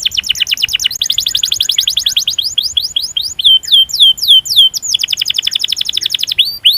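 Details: Canary long-roll song meant to call rivals and train other canaries: rapid rolling trills broken by looping, slurred phrases, then another fast trill.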